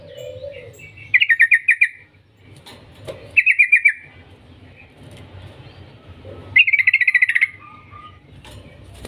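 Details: Yellow-vented bulbul lure song in long trills: three separate bursts of six to eight rapid, bubbly notes spaced a few seconds apart, with a low warble at the start.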